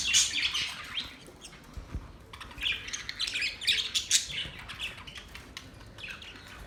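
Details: Budgies giving mating calls: near-continuous warbling chatter of fast, high chirps and scratchy squawks rising and falling in volume, with several birds seeming to overlap.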